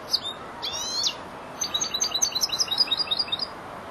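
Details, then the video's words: Four-month-old European goldfinch, a young bird learning and beginning to finish its song phrases: bright, high twittering notes, a short buzzy trill, then a rapid series of sharp tinkling chirps, with steady low background hiss. "jilguero el estudiante rematando"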